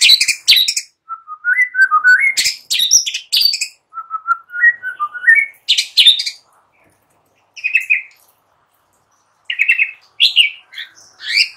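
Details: White-rumped shama song played in the morning to lure shamas: rich varied phrases, low whistled notes stepping up and down around 1–2k, mixed with sharp high chips and buzzy bursts, separated by short pauses.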